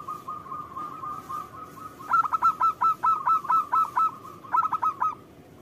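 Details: Singing local zebra dove used to lure others to reply: a soft steady trill gives way to a loud run of about ten clipped cooing notes, then one more short burst.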